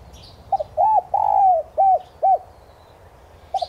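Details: ['Spotted dove lure coo played to stimulate caged decoy doves to call. One phrase of low hollow coos: a quick stuttered double note, then arched notes, the middle one drawn out longest, with a final stutter at the end.']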